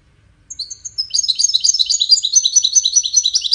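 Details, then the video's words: European goldfinch from a five-bird song contest, widaniya style; a few thin whistled notes, then a fast, dense stream of liquid twittering and buzzy trills that runs on without pause. "مسابقة افضل تغاريد 5 حساسين ويدانية"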